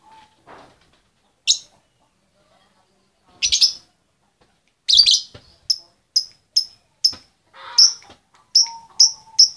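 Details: Female lovebird calling the male: sparse sharp high chirps, then a run of short bright piercing notes about every half second, with silent gaps between them.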